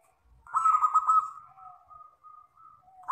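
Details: Local wild-type zebra dove singing a long "kristal" (crystal) style song: a loud rolling, throbbing coo held on one steady pitch, fading into a string of separate softer drawn-out tones before the loud coo starts again.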